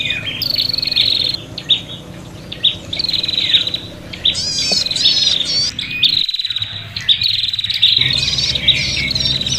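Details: Excited, fighting prinias, calls meant to attract birds: bouts of high, reeling chatter broken by brief pauses, fast rising and falling squeaky trills in the second half, over a steady low hum.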